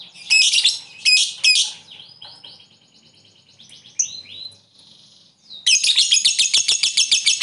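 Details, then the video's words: Lovebird singing ngekek style to draw replies from rivals: three harsh high bursts, then softer twittering and rising whistles, ending in a fast rattling high trill. "Lovebird ngekek fighter,pancingan lovebird ngetik ngekek mantap bikin lawan langsung nyaut"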